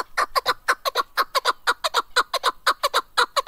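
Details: Chukar partridge song from 2021: steady, harsh, rhythmic clucking notes in quick pairs, about two per second, repeated throughout in a loud rolling series.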